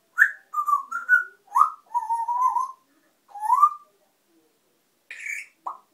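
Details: A noisy pet African grey parrot gives a run of clear whistled notes, some flat and some rising or sliding, in short phrases separated by brief pauses, ending with two higher, shorter notes; the room is otherwise quiet.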